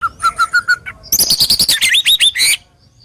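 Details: White-rumped shama (murai batu) from Indonesia, singing rough, sharp 'tembakan' bursts used to stir silent shamas into song: five even whistled notes, then a dense rapid run of loud high chips and upslurred whistles.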